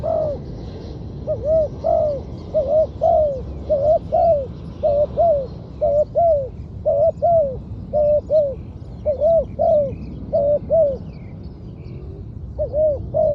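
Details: Trained spotted dove kept as a decoy on the ground, cooing steadily. Short, low, hollow double-humped coos repeat roughly once a second in a long series, with faint chirping of small birds high above and a quiet hiss.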